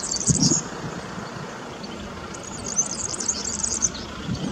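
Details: A European serin in Zamość gives its song, a very high, fast, jingling and sizzling song in two bursts, over a steady low rumble of background noise.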